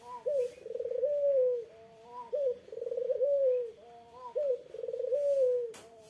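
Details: Puter dove cooing to draw an answer from a rival: three phrases about two seconds apart, each opening with a sharp upward note, then a purring trill and a drawn-out, slowly falling coo, with a brief click near the end.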